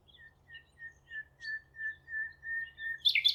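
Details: Common Nightingale singing at Thurrock Thameside Nature Park, heard where it was seen days earlier; a mellow whistled note repeated about nine times, roughly three per second, swelling steadily louder, then a sharp, high, loud burst from another bird at the end.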